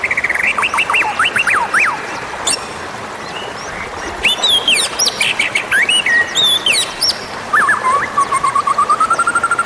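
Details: Wild magpie-robin lure sound for calling in wild birds: loud, varied whistled phrases, rapid rising-falling trills, sharp chirps and a long rising whistle near the end, delivered in quick bursts.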